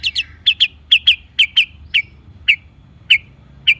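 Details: Long-tailed shrike song meant to draw out silent birds: crisp, high chirps, mostly in quick doubled pairs at first, then single notes spaced further apart.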